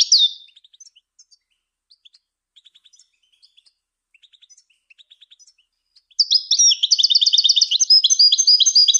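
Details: European goldfinch singing for bird training: a brief high slurred note, then soft, scattered clicking ticks for several seconds before a sustained, loud, rapid stream of tinkling twitters.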